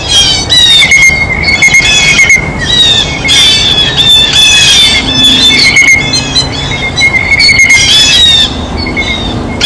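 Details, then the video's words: Blue jays at a feeder while eating, in eastern North America, giving repeated harsh, squawking calls with strong high overtones, several birds overlapping almost continuously. "El SONIDO DEL BLUE JAY (Arrendajo Azul)"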